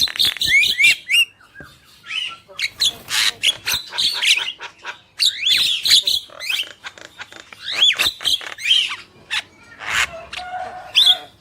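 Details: Male and female black-winged myna in an extended vocal display, quick whistled notes, harsh noisy squawks and chattering bursts alternating over several seconds.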